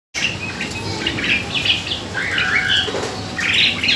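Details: Asian pied starling (jalak suren) song used as a lure to bring on singing: harsh chattering and squeaky phrases with buzzy bursts, rather noisy background.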